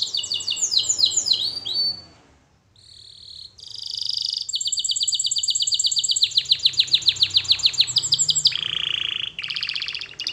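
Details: Canary training song starting with cascading falling whistles, a short gap, then buzzy notes, long pulsed trills and a low rolled section before a final high trill.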